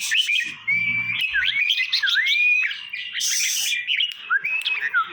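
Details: Red-whiskered bulbuls kept in cages in Trang province, Thailand, singing to excite other birds: looping whistled notes with dipping and rising slurs, a brief low hum early and a burst of hissing rustle midway.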